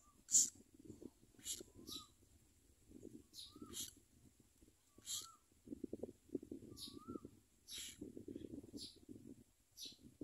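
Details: Common myna babies fed worms and locusts by parent birds: repeated short, harsh hissing rasps at irregular intervals over low rustling and scuffling, with a few soft, thin whistles.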